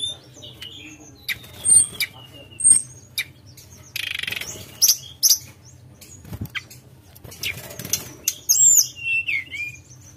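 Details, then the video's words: Sunda robin singing in the gacor nyuling ngerol style, with clear high whistled phrases and thin sweeping notes between short pauses, plus scattered clicks, a burst of rustling noise and a faint low hum. "Tledekan Gunung Gacor Nyuling Ngerol"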